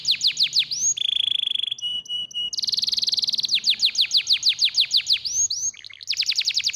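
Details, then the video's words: Canary singing, a recording meant to stimulate lazy canaries into song: rapid down-slurred repeated phrases, a flat sustained whistle, a buzzy rolled trill, then more swooping notes and a final fast rattle. "sehr stark bei der Stimulierung des Geräusches fauler Kanarienvögel"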